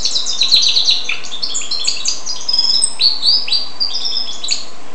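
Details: Goldfinch-canary cross singing continuously, a fast, tinkling stream of high chirps, twitters and short trills with a faint background hum.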